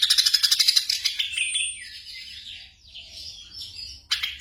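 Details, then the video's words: Black drongo singing, for night-time training of caged birds. It opens with a fast run of even pulsed notes, then moves into drawn-out, wavering buzzy notes and ends with a sharp burst. A faint low hum continues underneath. "TERAPI SRIGUNTING MALAM HARI"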